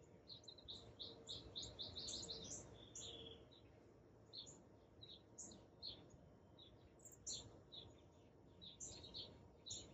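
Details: Hummingbirds at a feeder, recorded with an iPhone 11 on a tripod in the morning: rapid high twittering chirps and squeaky notes in dense bursts, many per second, with a low background rumble.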